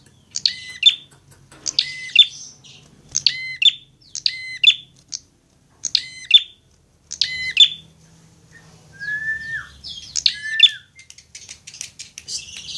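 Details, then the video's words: Fighting prinia on a tutor recording: a long regular series of ringing double chips, roughly one every second, then a lower slurred whistle and more chips amid faint background hum. "masteran prenjak agar cepat gacor"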